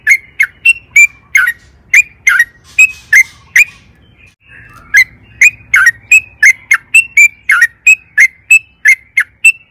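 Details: Yellow-vented bulbul singing a long, emotional rolling phrase, used to stir caged birds to sing: brisk run of bright chirped notes, a short lull with faint soft notes, then the rapid series resumes.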